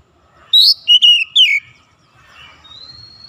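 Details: Oriental magpie-robin (kacer) in morning sunlight utters a short phrase of three clear whistles, the first high and sharp, the last sliding downward, then a faint thin rising whistle.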